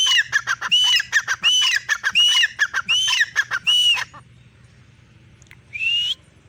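Grey Francolin giving loud, ringing, repeated phrases about twice a second for four seconds, then a single rising whistle after a pause.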